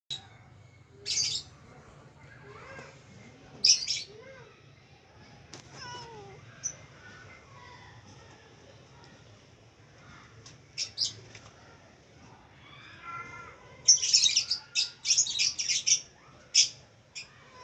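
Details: As a Persian cat climbs a tree to attack it, a red-vented bulbul gives harsh, sharp chirps in scattered bursts, with softer chattering notes between.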